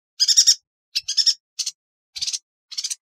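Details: Bursts of fast pulsed, high-pitched chattering from a yuhina, about five trilled phrases spaced unevenly over a few seconds, meant as a tutor song for other songbirds; clean background.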